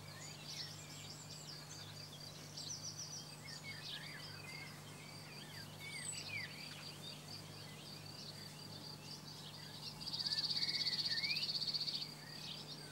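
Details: A cirl bunting singing in France: a dry, rapid rattling trill on one high pitch lasting about two seconds, with other birds chirping and twittering in the background over a low steady hum.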